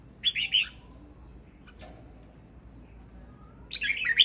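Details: A male red-whiskered bulbul sings two bursts of bright, bubbling, warbled notes, one at the start and one at the end, with a quiet pause between.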